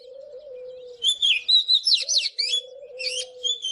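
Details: An Oriental magpie-robin sings at dawn, a tumble of clear, rising and falling whistles and rapid chips. A low dove coo runs beneath the start and middle.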